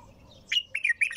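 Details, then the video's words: Bulbul singing nonstop, tur-style song: a short, loud phrase of three or four rich, slurred chirps, rising and falling in quick succession over a quiet background. "تغريد بلبل طور بدون توقف"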